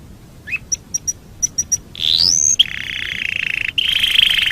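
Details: Canary song for tutoring other birds: a few short high chips, a rising whistled slide, then a steady, rapidly pulsed trill that pauses briefly and resumes.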